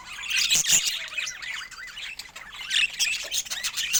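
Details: Pet budgerigars in varied colours warble continuously in high, squeaky, rapidly changing twitters and chirps, rising and falling in overlapping bursts throughout.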